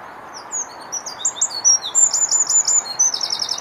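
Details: A Eurasian wren in Rombergpark Botanical Garden, Dortmund, Germany, on 25 April 2015, pours out a loud, very high, rapid song of sharp notes and rattling trills, with a steady low rushing hiss behind it.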